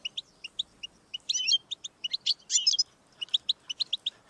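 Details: Goldfinch song used to stir a pet goldfinch into singing: crisp paired chirps at a steady pace, interrupted by two short harsh buzzy bursts, then more clear twittering.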